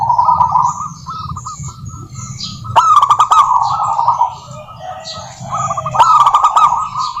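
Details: Lively local zebra dove song, used as a lure to set other doves singing: stuttering coos, a sharp clicking burst into rapid rolling notes, a quieter low phrase, then another clicking burst. Other birds chirp faintly.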